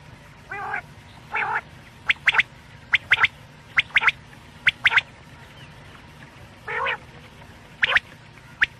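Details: Quail sound for night use, Pakistan, linked to quail hunting: nasal buzzy notes alternate with crisp high notes in quick doubles and triples, roughly one burst per second.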